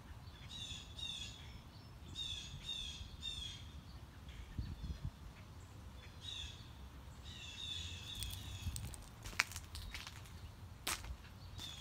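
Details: Unseen mockingbird on a morning walk running through its repertoire: bursts of harsh, buzzy, rapidly repeated high notes in stacked phrases, with pauses between, over low rustling footsteps and a few sharp clicks.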